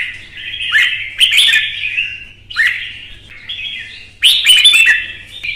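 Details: Red-whiskered bulbul in a heated singing contest, delivering bursts of rich warbling phrases separated by short pauses, each opening with a sharp click-like onset, over a faint low hum.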